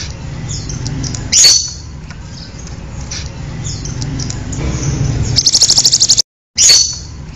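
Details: Pied bushchat (Saxicola caprata), call.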